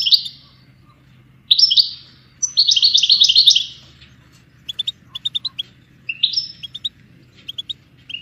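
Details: Goldfinch song used to train songbirds: bursts of bright, high twittering phrases separated by pauses, then runs of quick clipped tinkling notes, over a faint low hum.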